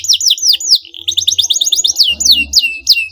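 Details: Canary song played to provoke a rival into answering: loud, fast series of sharp descending whistled sweeps, each dropping steeply, repeated rapidly in quick bursts with brief low hums beneath.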